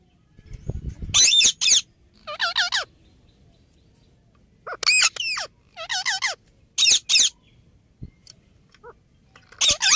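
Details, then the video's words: Indian ringneck parakeet giving loud harsh screeches alternating with looped harmonic notes in bursts about every two seconds, with a brief low rumble at the start and quiet gaps between. "Cute Parrot Sounds | Parrot Talking"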